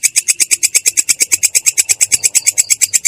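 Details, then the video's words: Rolling ngerol song from a long-tailed shrike, described as clear and rough: rapid, evenly spaced harsh high notes pouring out at about eight each second without a pause. "belalang kecek ngerol!!! suara jernih kasar"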